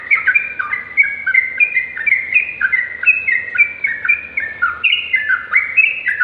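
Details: Sooty-headed bulbul song, used as a tutor recording for other birds: continuous stream of clear whistled notes stepping up and down, phrases overlapping in quick succession with no pauses.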